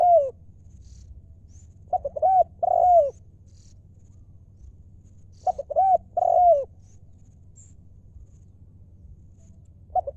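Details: Decoy spotted dove in 'lio' style, repeating a phrase of two quick notes and two soft arched coos about every three and a half seconds, against a low constant hum.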